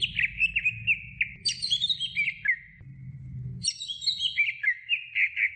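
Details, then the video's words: Greater green leafbird song meant to train other birds: warbled whistles, a bright high falling cascade, a brief pause, then another high cascade and quick whistled notes over a low hum. "Masteran Cucak Hijau Durasi Sedang"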